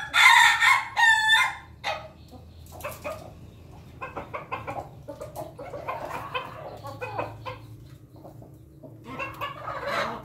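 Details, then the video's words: Morning feeding of Pelung chickens: an opening series of loud, raspy crowing bursts with a rapid pulsed note, then busy overlapping clucks and pecks continuing to a louder call at the close. "ayam pelung makan pagi ayam ketawq"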